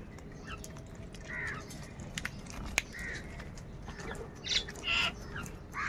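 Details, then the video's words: Crows squabbling over food. Several short, hoarse caws come at irregular moments, softer and more distant, against steady background noise with occasional clicks. "Crow bird Fight for Food | কাকের ডাক Crow Sound Loudly"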